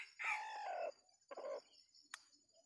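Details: Red junglefowl call at a decoy trapping site in a small Sumatran oil palm plantation. A long hoarse phrase, then a shorter second burst, then a sharp click. Insects buzz steadily in the background.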